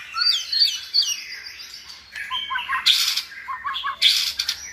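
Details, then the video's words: Tutor white-rumped shamas sing to teach a chosen shama a richer repertoire; high looping whistles, then short low notes broken by two loud rasping bursts. "NÀI CHÒE LỬA | Đào tạo THANH cho lửa chuyền"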